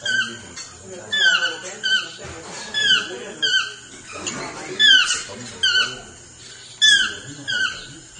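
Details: Swainson's toucan, also known as chestnut-mandibled toucan, calling steadily with loud descending yelps, around one every second, each note dropping sharply in pitch and rich in overtones.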